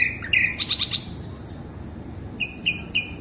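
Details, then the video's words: Lure recording of a sikatan londo flycatcher singing: a whistled note, a quick burst of bright high chirps, a pause, then short clear whistles repeated about every quarter second. "Pancingan burung sikatan londo"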